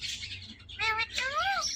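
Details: Talking parrot imitating words: a short, voice-like syllable with steady harmonics, then a longer one arching up and down, over a low constant hum.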